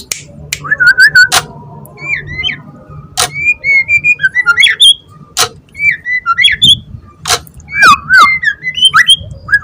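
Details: Caged young white-rumped shama from the wild, still singing while its cage is gripped. It gives loud, clear whistled notes with bends and slurs, mixed with sharp ticks and high chips, all in quick, irregular bursts.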